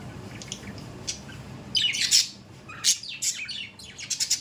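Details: After a quiet start with faint chirps, pet budgerigars break into sharp squawks and quick twittering chirps in short bursts.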